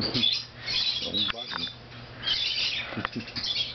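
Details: A 4-month-old female umbrella cockatoo at a pet store in Baton Rouge whines in harsh, raspy bursts, two long drawn-out rounds with short scratchy notes between, with a brief low murmur mid-clip.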